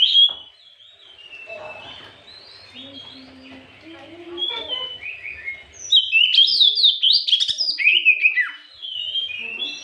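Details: Afternoon lure song of a white-rumped shama meant to provoke other birds; softer warbles and low background sounds lead into a loud burst of rapid, sharply descending whistled notes.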